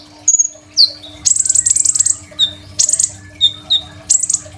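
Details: Crimson sunbird, caged, singing persistently with a richly varied song used as a master for training other birds, phone-recorded: very high thin whistles, downslurred sharp notes and fast buzzy trills in bursts, with a low steady hum underneath.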